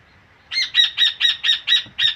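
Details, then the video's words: Rufous hornero singing: a burst of seven loud, harsh repeated notes about a quarter second apart, each with bright stacked harmonics, starting abruptly after a quiet half second. "Pájaro Hornero 🤎 trinando"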